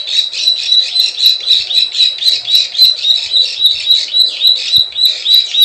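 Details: Plain prinia klik klik and ciwah lure call: steady, high buzzy clicks repeated almost four times a second in an even rhythm throughout.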